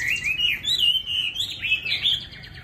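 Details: Chinese hwamei, a caged bird kept in Hanoi, sings one continuous rich warbling whistle that wavers up and down without pause, loud and clear over faint low background hum.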